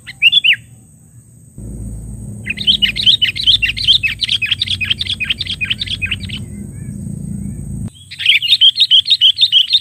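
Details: Sooty-headed bulbul luring rivals: rapid chattering bursts of bright notes repeated several times a second, broken by a stretch of rumbling low noise, then more fast chattering.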